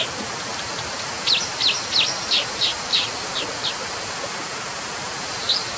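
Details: Brown dipper uttering a quick series of about eight sharp, high descending notes in under three seconds, then a lone chip after a gap, against a continuous rushing hiss.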